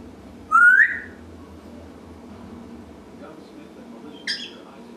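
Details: Pet African grey parrot indoors, talking and making noise as usual; one loud rising whistle, then quiet, then a short sharp squawk near the end, in a quiet room.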